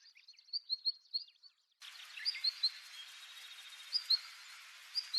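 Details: Siberian long-tailed rosefinch giving short, high, thin whistled call notes in quick irregular bursts, with a steady hiss of background noise in the later part.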